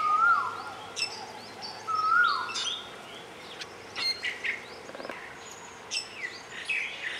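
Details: Grey-eyed bulbul recorded on Ko Lanta, Thailand, giving two brief upslurred notes that drop away, roughly two seconds apart, followed by scattered high chirps and clicks from other birds.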